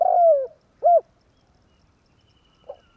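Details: Spotted dove lure call for trapping, 'tarik akar' style: a long coo sliding downward, a short arched coo, then a faint soft note after a pause.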